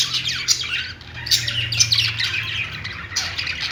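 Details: Singing pet budgerigars, a dense, buzzy warble of fast chirps and squeaks running almost continuously, with a low hum in the background.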